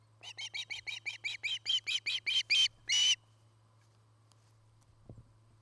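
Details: Osprey calling at its nest in Charlo, Montana, on a nest camera dated 09-08-2018: about twelve chirps speeding up and swelling in loudness, ending in one long harsh note, then quiet with a soft thump and low hum.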